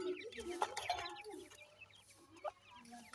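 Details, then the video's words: Busy twittering of several francolin chicks, rapid short chirps about three or four per second, louder at first, then thinning out over a faint steady hum. "mere jani teetar k khobsorat bachay,bhura titar k chicks"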